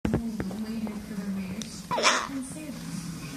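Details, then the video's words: A sulphur-crested cockatoo (Cacatua galerita eleonora) talks in a steady, low, human-like voice, broken midway by one short, harsh, hissing burst. "GUESS WHAT THE CRAZY COCKATOO IS SAYING"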